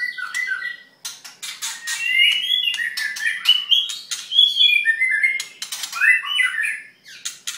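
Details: White-rumped shama, halfway through its molt, singing indoors: a rich varied song of whistled phrases, slurred rising and falling notes and harsh squawky bursts, with brief pauses between phrases.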